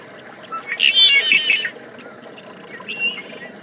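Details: Tricolored blackbird (Agelaius tricolor) song: a harsh, buzzy, nasal burst under a second, then a fainter short buzz, over a low steady background hum.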